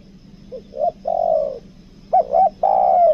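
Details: A spotted dove, a caught two-note bird, gives two mellow coo phrases, each a short note or two rising into a long drawn-out coo, low and soft; faint steady hum beneath.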